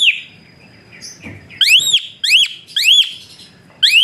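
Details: Asian pied starling used as a whistling tutor, giving a run of four bright rising-and-falling whistles in quick succession after a quieter opening note and a soft chirp.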